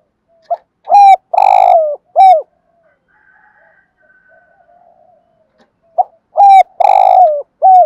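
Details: Morning calling by a decoy spotted dove meant to attract wild birds: two loud cooing phrases about five seconds apart, each of short mellow notes around a long buzzy middle coo, with faint distant coos between.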